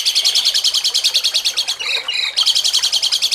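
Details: Cucak cungkok rendering jengking munting song, used to train songbirds for contests: a fast, even chattering trill of high notes, briefly broken by two lower buzzy notes before the trill returns.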